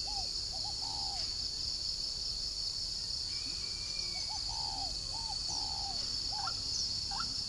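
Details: Spotted dove kept at a northern Vietnamese bird farm near Vân Hòa, Ba Vì, Hanoi: a run of short, low, hooting coo notes in loose phrases over several seconds, with a constant shrill insect chorus behind.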